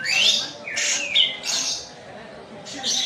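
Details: Energetic song of a kapas tembak white-eye from Medan: loud high chirpy bursts and a couple of slurred whistles packed into a few seconds.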